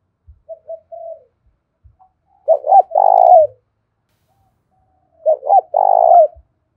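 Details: Spotted dove giving a lure and fighting call in a rustic voice style: a soft low introductory coo, then two loud phrases, each a quick double note followed by a long, rolling coo, repeated about three seconds apart.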